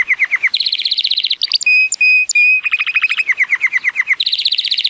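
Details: Powerful song of a male Timbrado Español canary, born 2018, rated 83 points, on a sunny day: dropping chip notes, buzzy rapid trills, a few ringing whistles, then more falling notes and a fast rattle.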